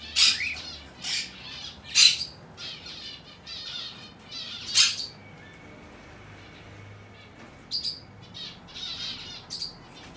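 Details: A young, hand-tame Aqua pallid monk parakeet chick, recorded 22 May 2022, gives harsh, grating squawks in irregular bursts, about one every two seconds, with quiet gaps between.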